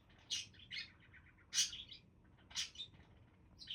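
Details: Several budgerigars give loud, bright squeaky chirps in clusters roughly once a second, with softer warbling notes between them and little background sound.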